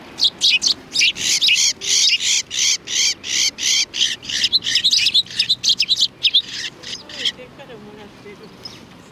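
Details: Sparrows gathering at a Tenmangu shrine on 7 February 2020, coming to be fed; a dense run of high, sharp chirps repeated rapidly for about seven seconds, then thinning to scattered faint chirps.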